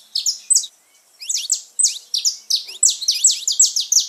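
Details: Saffron finch singing to stimulate pet birds: brief opening notes, a short gap, then a steady rapid run of loud sharp chirps, roughly three per second.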